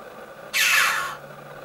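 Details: One of two choughs perched on a castle tower at Caracuel gives a single harsh, raspy call lasting about half a second, with a quiet background before and after.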